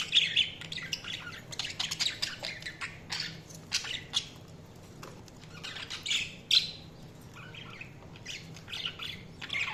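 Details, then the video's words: Budgerigar chatter, sparser and softer, with scattered sharp chirps and short scratchy squawks spread unevenly through the clip and a few louder peaks near six seconds, above a low background hum. "Budgies Chirping sound"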